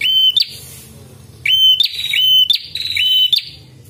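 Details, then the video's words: Red-headed prinia recording for training and luring prinias: loud, clear whistled notes, each holding steady then flicking upward, in bursts about every second with short gaps between. "UNTUK MASTERAN DAN PIKAT BURUNG PRENJAK"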